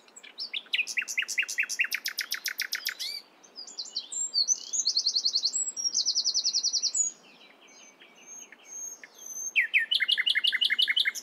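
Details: Nightingale singing in the morning with several contrasting phrases: rapid repeated chattering notes, two dense buzzy trills in the middle, a short pause, then another fast run of loud repeated notes.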